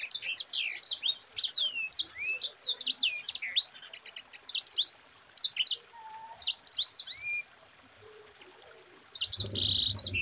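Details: Mozambique canary (sanger) singing a tight rolling 'ngerol rapat' song, used as a master recording for training other songbirds: rapid bursts of high, sweeping whistled notes and trills in phrases of one to two seconds, separated by short pauses, ending with a noisy burst.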